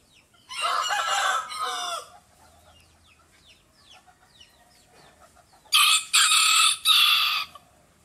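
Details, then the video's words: Rooster with an odd, comical voice: a rough, grating crow, soft chirps and clucks in the pause, then a second crow broken into three hoarse, blaring bursts. "CHANT DU COQ VOIX DRÔLE"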